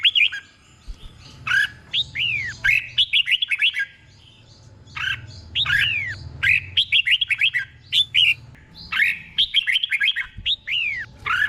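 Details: Thai caged red-whiskered bulbul acting as a tutor bird for training, giving doubled paired phrases: long runs of rapid, slurred whistles rising and dropping, repeated in several clear bursts with brief gaps, faint low hum beneath.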